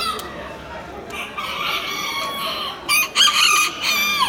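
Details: Miniature rooster at a poultry expo in October 2019, with several harsh, harmonic-rich crows and clucks layered over a noisy crowd background; loud bursts near the end.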